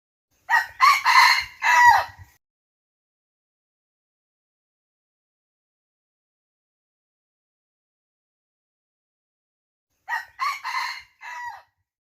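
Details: Red junglefowl crowing: a loud multi-part crow of three harsh, rising-then-falling syllables lasting about two seconds, repeated after a long silence of roughly eight seconds, with no other sounds.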